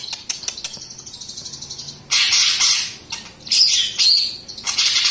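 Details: A young greater green leafbird that has just lost its juvenile spotted plumage and is still moulting gives a quick run of sharp, high chips, then three loud bursts of harsh, scratchy, high chatter about a second long.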